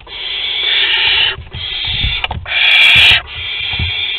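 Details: Barn owls at a nest in Théding, France, on 22 August 2020, during an agitated food delivery, give long harsh hissing screeches about a second each with brief gaps, low thumps beneath.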